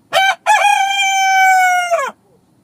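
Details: Dawn crow of a rooster on a rural morning: a brief sharp first syllable, a gap, then a long sustained ringing tone that holds level for over a second and sags downward as it fades.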